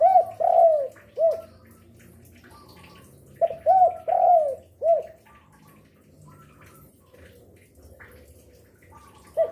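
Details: An active spotted dove used as a lure bird, cooing day, afternoon and night: low, mellow, rounded coo notes in short runs of two or three, separated by pauses, with faint background chirping.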